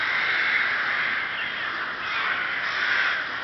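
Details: Chorus of rooks at a colony in Chrudim, Czech Republic, 30 May 2011: many hoarse caws overlap into a steady, harsh clamour with slight rises and falls in loudness.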